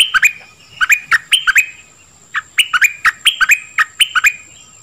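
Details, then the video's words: Nok dok taeng bird song, used to train young birds and stir them up; clusters of sharp, bending chirps in quick bursts, separated by short pauses, with a steady high faint tone behind. "เสียงนกดอกแตงEp.2 ใช้หัดลูกนก เปิดให้นกคึก!!"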